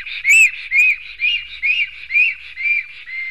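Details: During a fight between two male black storks at a Latvian nest in Sigulda municipality, 10:43 am, 11 June 2020: loud rising-falling whistles roughly every half second, the first sharpest, then gradually quieter, with a faint low hum beneath.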